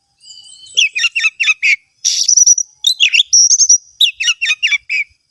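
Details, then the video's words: Oriental magpie-robin (kacer) from a hobbyist's collection singing energetically: rapid bursts of sharp, varied chirps and slurred whistles, with a few drawn-out high whistled notes between phrases and no other sounds. "Kompilasi Suara Burung Kacer Berkicau Gacor"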